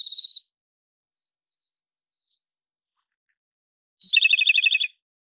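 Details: Japanese robin song: the tail of one fast trill opens the passage, then after a long silence a high introductory note leads into another rattling trill.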